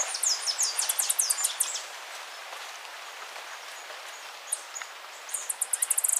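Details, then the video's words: Spotted Tanager (Ixothraupis guttata) song: two bursts of thin, very high, sibilant notes, about three per second, separated by a quiet pause, with a faint natural background hiss throughout. "O canto da Saíra pintada"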